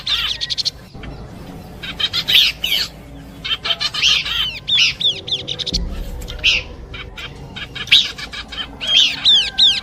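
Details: Luring song of Horsfield's babbler in combination style, bursts of quick chirps and bright whistled slurs, about three per second, ending in a run of arched repeated notes.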